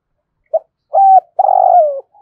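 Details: Lure spotted dove of the 'thổ sấm' voice style cooing in the morning to call in wild doves: a short soft note, a steady held coo, then a longer rolling coo that slides downward, all low and mellow.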